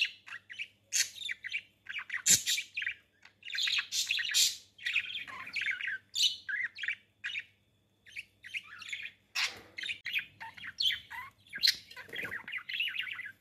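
Budgerigars give a rapid, busy stream of scratchy chirps and warbles during mating.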